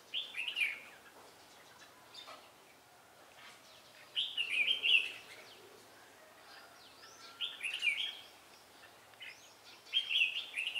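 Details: Red-whiskered bulbul used as a decoy while trapping wild bulbuls in Vietnam, recorded 17 December 2016: short, bright warbled phrases, mid-high and rolling, repeated about every three to four seconds with quiet gaps between.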